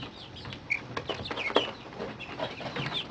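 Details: Young chickens aged 30 days playing in a brooder, being slowly taken off heat; repeated thin high peeps and short rising chirps from several birds, with tapping and rustling underneath.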